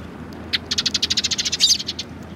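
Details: Sparrows gathered on a bench, coming to be fed, recorded 24 March 2020: a rapid run of about fifteen short high chirps packed into roughly a second and a half, with steady low background hum.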